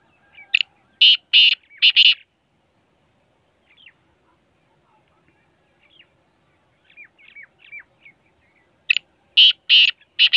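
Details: Large Sindhi black francolin giving loud harsh rasping bursts in a rapid group of about four notes, a pause with faint thin chirps, then another rasping group at the end.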